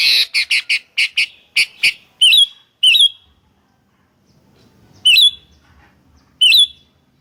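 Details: Sooty-headed bulbul calling in a lure recording: a rapid burst of about eight harsh, clipped notes, then four bright, twisting whistled phrases at irregular intervals in quiet surroundings.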